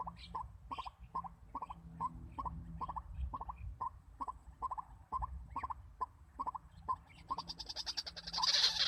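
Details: White-breasted waterhen decoy used to lure birds for trapping, calling a steady run of short, low, clucking notes about three per second for seven seconds, ending in a burst of harsh, hissing noise.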